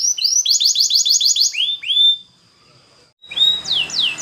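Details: Canary song for training: a rapid series of bright chirps and down-slurred notes, then a thin sustained whistle fading to near silence, before loud falling sweeps resume amid some background noise.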